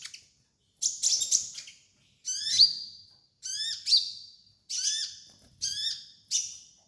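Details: Sunbird (kolibri ninja) training master song: a series of high, buzzy, downslurred notes in stacked layers, given in phrases roughly every second after an opening chattery burst.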